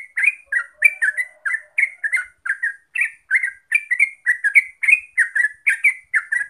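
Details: Terucuk, the yellow-vented bulbul, in fast 'gacor ropel' song: continuous run of babbling, up-and-down chirped notes at an even quick pace, quiet background.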